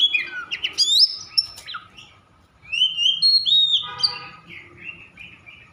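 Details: Over-emotional Oriental magpie-robin (kacer) singing to provoke other magpie-robins into song: rapid sharp chirps and high whistles, a pause, then a rich run of slurred whistled notes with a buzzy rattling section.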